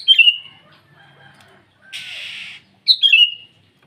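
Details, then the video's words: Sooty-headed bulbul singing to challenge rivals in the morning: two brief chirpy phrases that slide down and flutter, one at the start and one near the end, split by a short hissing rush of noise. "Suara burung kutilang memanggil lawan di pagi hari"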